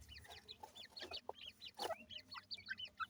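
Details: Young grey francolins, locally called teetar chicks, give thin high peeps, each a quick rising-then-falling slur. The peeps overlap in a steady chorus of several per second, with faint low rumble in the background.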